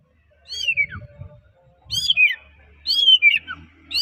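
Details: White-rumped shama of the Medan type in vigorous song, said to provoke other shamas into singing: loud whistled phrases sliding downward from high to mid pitch, repeated about once a second, with soft low rustling between phrases.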